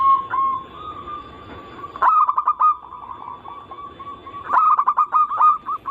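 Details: Zebra dove song played to stimulate other zebra doves to sing: a sustained purring tone, then two bursts of quick staccato hooked coos with crisp clicking sounds.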